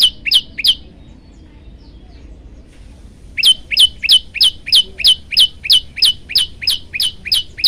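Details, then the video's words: Olive-backed tailorbird in a song variation recorded as a master for training birds. Three sharp, high, falling notes, then near-silence for about two and a half seconds, then a steady run of rapid, evenly spaced emphatic chips. "masteran burung prenjak lumut variasi"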